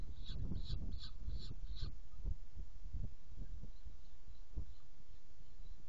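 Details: Saker falcon in Hungary on 7 May 2017 while feeding: a quick series of five short, harsh, rasping notes in the first two seconds, then low rumbling handling and wind noise.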